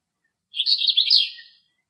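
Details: Male eastern black-eared wheatear singing in nature in Greece: one brief, scratchy, warbled phrase of jumbled high notes lasting about a second, otherwise quiet.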